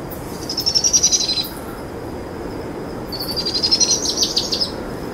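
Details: Powerful owl chicks trilling as the adult female feeds them a brushtail possum after dusk: two long, high, rapidly pulsed trills, each over a second long, separated by a pause filled by a thin steady tone.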